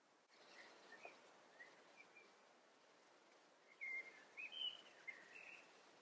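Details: A red-backed shrike during courtship feeding on 6 June 2020 gives short, sharp, high chirps: a few faint notes, then a quick burst of four or five louder calls over soft outdoor hiss.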